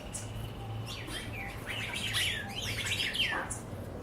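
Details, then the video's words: Wild birds singing: bright chirping, squeaky whistled phrases and quick downslurred notes over a steady low hum and background noise. "Pássaros silvestre cantos"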